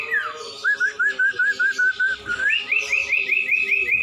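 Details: Common iora, known locally as cumpon or sirtu, in a masteran song recording: a falling whistle, then a run of about ten quick, upslurred whistled notes, then a higher, brighter series of similar notes. Faint lower tones sit behind.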